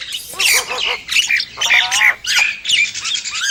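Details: Harsh squawking phrases from a Nias hill myna. Raspy, broad notes are mixed with short bent whistles in quick, uneven bursts, with a low background rumble.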